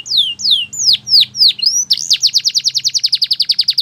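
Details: Canary song opening with loud, slow downward-sweeping whistles, then switching to a quick, even series of bright chips about six per second.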